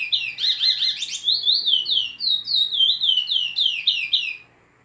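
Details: A chestnut-bellied seed finch of the northeastern Brazilian type sings a fast, unbroken run of high, clear whistles and slurred warbling notes for about four seconds, then falls silent.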